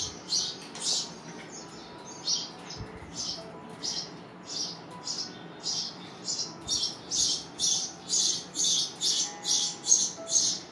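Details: Hungry baby birds begging: high, thin chirps repeated in quick bursts, roughly two per second, growing louder and more insistent toward the end, over a low steady background hum.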